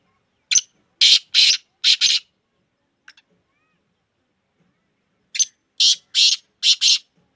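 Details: Black francolin, locally called kala teetar, calls twice from a bird kept for sale. Each phrase is five harsh, scratchy notes: a brief lead note, then four rasping ones. A long silent gap separates the two phrases.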